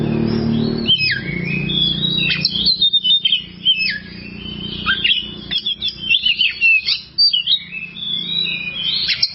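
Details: Oriental magpie-robin singing on a long-duration masteran meant for training birds. After a low rumble at the start come many quick, jagged whistled phrases, mixing steep drops and rising sweeps.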